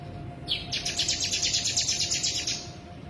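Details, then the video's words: Sooty-headed bulbul singing in the konslet style, packed with imitations of Bren and Ciblek: a fast, buzzy chattering trill of about twenty rapid high notes lasting two seconds, after a brief rising opening note, over low background hum. "Sogon Konslet full Bren Ciblek"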